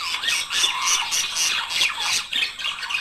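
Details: Budgerigar pair warbling to prompt breeding: rapid scratchy chirps and squeaky notes pulsing roughly every quarter second, steady and loud.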